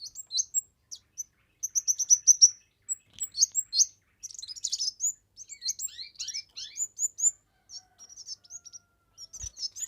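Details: Lively kemade song for training, luring and prompting other birds: fast high-pitched chirps, sweeping twitters and rattling note runs, nearly continuous with short breaks.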